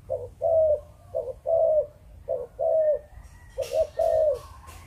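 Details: Malaysian-line spotted dove delivering Chụp Chụp Ô style song: four even phrases, each a quick double note and a long husky coo, about one per second, with clicking taps toward the end.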